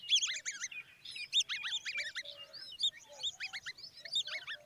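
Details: Common babbler chicks with their mother: loud, clear, downward-slurred chirps repeated quickly in clusters, several birds overlapping.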